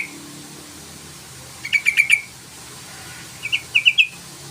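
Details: Yellow-vented bulbul calling to provoke a rival into singing: two short bursts of rapid, evenly spaced bright chattering notes, the second burst followed after a pause, over a quiet low hum.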